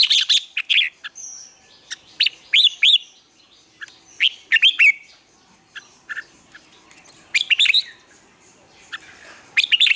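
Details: Red-whiskered bulbul morning training song: a busy string of sharp, high chirps and short warbled phrases, coming in clusters with brief pauses, bright and clear over a quiet background.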